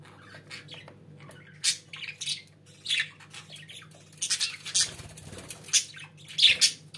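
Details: Budgerigars kept indoors chattering quietly, with short scratchy squawks and clicks spread through the stretch and a louder cluster near the end, above a low room hum.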